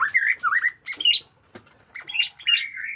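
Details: White-rumped shama, a captive bird with new plumage, in varied song of slurred whistles and rapid squawky notes around mid pitch, broken by short gaps and a few sharp clicks.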